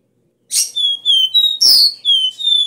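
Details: Copper seedeater (caboclinho) singing the strong 'Dó Ré Mi' three-note bitola song, played to fire up caged birds: a series of clear, high, slightly falling whistles broken by one harsh buzzy burst, in a quiet setting.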